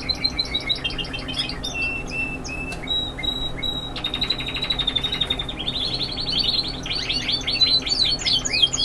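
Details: Young Spanish Timbrado canaries in classic continuous song: pulsed rattling notes, clear flat whistles and a buzzy trill, then a bright rapid warbled passage, recorded indoors at moderate level.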